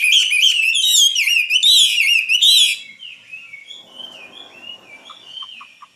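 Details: Common nightingale singing: loud, rich burst of rapid whistled and trilled notes for nearly three seconds, then softer, thinner whistles and a few short high chips trailing off.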